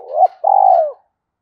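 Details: Spotted dove heard in its 'kích bổi' decoy-stirring call: a rising coo cut short, then a long evenly pulsed rolling coo that dips at the end, followed by silence.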